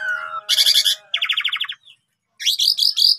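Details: Asian pied starling singing actively, used as master recording to train reluctant starlings: a falling whistle, harsh buzzy bursts, then a rapid pulsed chatter of about ten notes, a brief pause and rising rasping phrases.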